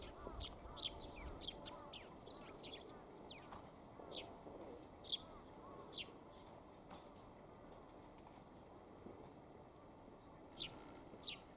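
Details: Eurasian tree sparrow calling while perched for a long spell in good weather: bright, clipped chirps come in scattered bursts with quieter gaps between, over faint low outdoor noise.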